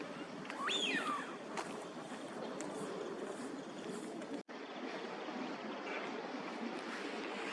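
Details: A wintering Northern pintail at a park pond in Chiba, Japan, in February gives one clear whistled call that rises and then slides down, early in the clip. A steady rush of water and distant traffic follows.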